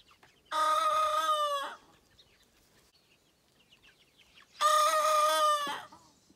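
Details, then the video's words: A very happy rooster gives two loud, harmonically rich crows about four seconds apart, each lasting just over a second and ending with a falling drop. "Crowing Rooster"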